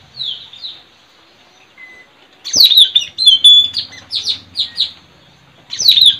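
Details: White-rumped shama recorded in the wild while tracking the bird in forest and at a trapping tree: loud, varied whistled phrases with sharp falling notes and rich high trills, in bursts with pauses.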